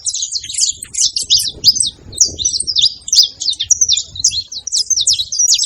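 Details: A group of saffron finches, locally canário-da-terra, make lively noise: dense high chirps and buzzy trills repeated without pause, overlapping voices, soft low background sounds.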